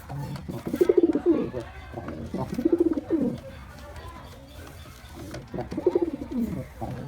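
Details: Mating call of a white pigeon in courtship: deep, rolling coos pulsing rapidly and dipping in pitch, three main bursts separated by quieter pauses, with a low steady background hum.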